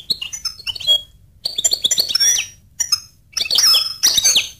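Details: Goldfinch singing: bursts of rapid high twittering, tinkling notes and short buzzy trills delivered in phrases about a second long, separated by brief pauses.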